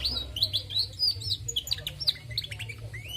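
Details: Female canary singing actively: a fast, continuous run of high twittering, slurred whistled notes and short chips, about four notes a second, over a steady low hum.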